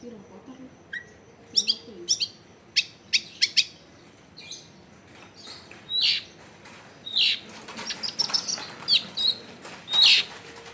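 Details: Active long-tailed shrike song used to coax silent shrikes into singing, recorded in a busy residential area: scattered sharp clicks and chips, then louder buzzy, rasping notes in the second half, with quiet background noise.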